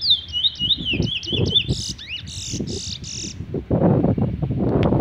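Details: A chestnut-bellied seed finch ('Trini bullfinch') sings a quick run of high, sweet slurred whistles, then several harsh buzzy notes, with low knocking and rumbling underneath throughout.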